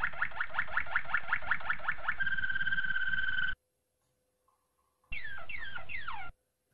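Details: Malinois Waterslager canary, a training song: a fast pulsed trill shifts into a smooth sustained roll and stops; after a pause comes a short run of downward-sliding whistled notes.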